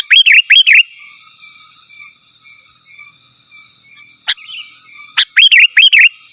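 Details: Sooty-headed bulbul calling rivals: loud, fluty, bouncing phrases of two or three quick notes, a pause with faint thin whistles in the background, then the phrases return.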